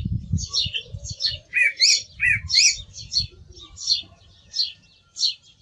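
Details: Song thrush giving a string of short, high, scratchy and whistled notes, roughly evenly spaced, with low rumbling background noise.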